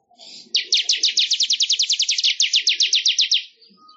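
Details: A weaver (manyar) sings for songbird training: one steady, rapid rattle of high sharp ticks lasting about three seconds, evenly spaced, with faint low chatter beneath at the start and end.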